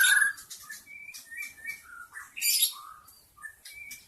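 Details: Wild forest white-rumped shama song used as a lure to attract other shamas: clear whistled notes between low and high pitches, short slurred phrases with a few harsh, buzzy bursts mixed in.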